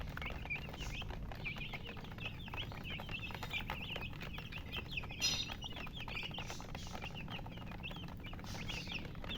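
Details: Many high, squeaky chirps from colored chickens run continuously, each a quick up-and-down peep, packed closely together over a soft low hum with a few sharper clicks.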